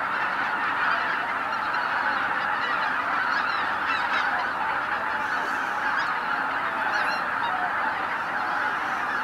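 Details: Tens of thousands of greater white-fronted geese taking off at sunrise from Izu-Numa, Miyagi, Japan: a dense, unbroken chorus of overlapping honks and yelps, steady throughout with no pauses.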